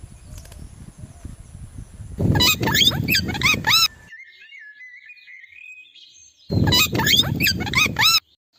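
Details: Three parrots sitting on branches and calling: two bursts of loud, harsh, rapidly repeated calls with rising and falling notes, separated by a quieter gap with a thin sustained tone.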